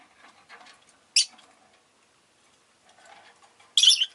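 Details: Household Rosy-faced lovebirds, several birds calling fairly often that day, make two isolated harsh, high chirps about two and a half seconds apart over faint background chatter.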